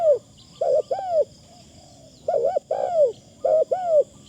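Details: Spotted dove kept as a decoy bird, calling with a thin phrasing style. Three soft, arched, mellow coo phrases, each made of two rounded notes, come at spaced intervals over a quiet, steady background hum.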